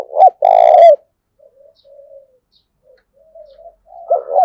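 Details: Loud, close spotted dove coo, used for luring and training doves. A short note and a long rolling coo open the recording, then faint soft coos, and a stuttered double note rises at the end.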